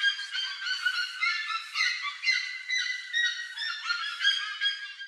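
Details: A flock of plush-crested jays raiding corn along a trail makes rhythmic bursts of bright, nasal honking calls with stacked overtones. The bursts come in an uneven pulse about twice a second.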